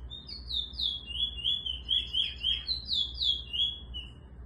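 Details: Eurasian bullfinch singing while teaching a young bird to sing: a steady run of clear, whistled notes, some sliding up and some down, repeated about every quarter second, with a low hum underneath.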